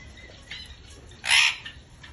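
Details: Parrot producing one brief raspy squawk in the middle of the recording, preceded by a fainter shorter note, against a low steady background hiss.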